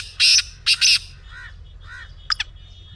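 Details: Black francolin calling, the recording used to get a kept francolin to start calling: a harsh, grating single note, then a paired rasping burst, followed by fainter softer notes and two thin high clicks.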